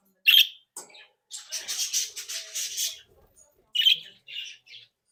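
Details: Bred budgerigars in a happy, playful flock: a sharp chirp, then a long buzzy, grating stretch of chatter, followed by several short clear chirps.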